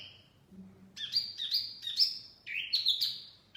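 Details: Short burst of mini wambi song, a bird-luring sound: one opening whistle, then loud, rich, slightly buzzy rising-and-falling phrases in close succession.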